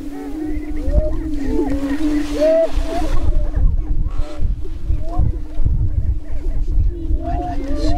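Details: Greater prairie-chickens booming on a spring lek near Crookston, Minnesota, April 27, 2013: a low steady moan and scattered rising whoops partly buried under heavy rumbling wind noise.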